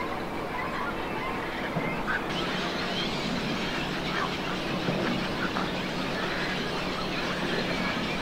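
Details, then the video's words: Great cormorant chicks at nests in a colony at Lac de Maine, Angers, France, on 24 July 2024, giving a constant harsh, raspy chorus of overlapping croaks and squeals over a low steady engine-like hum. "GRAND Cormoran/Nids/Jeunes ! BRUITX"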